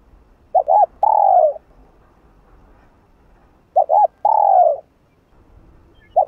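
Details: Spotted dove giving its 'hạp bổi' coo to excite a rival dove: a quick double note followed by a drawn-out descending coo, twice, with a third phrase just starting at the end.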